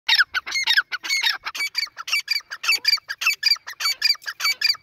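Grey francolin giving a rapid run of harsh, ringing, high notes, about four a second, each note squeaky and metallic, with no other sounds.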